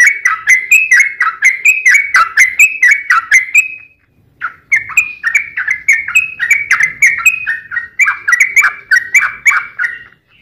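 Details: Sooty-headed bulbul in full fighting song, meant to provoke other bulbuls into answering: bright, chattering phrases of quick slurred notes, rising and falling, in two long bursts separated by a short pause.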